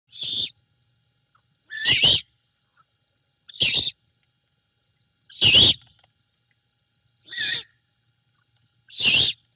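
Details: Great horned owl mother at a Savannah nest cam at night on 21 February 2022, taking a rat from the male and carrying it to her owlet. Six short, harsh, raspy notes come roughly every one and a half seconds, with silence between.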